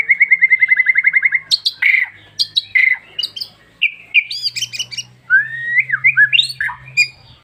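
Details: Wild bar-winged prinia song opening with a fast, even trill of about fifteen chirps, followed by varied squeaky whistles and swooping notes, with a low hum underneath.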